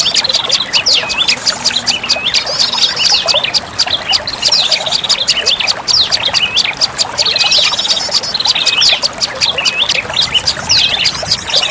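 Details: Olive-backed tailorbird calls used as a lure: a dense, steady wall of high sharp chips and curling whistles repeating quickly, with a faint low tone early on.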